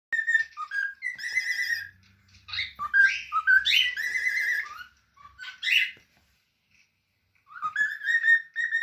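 A cockatiel gives a run of bright, warbling whistles and chirps with short pauses between phrases.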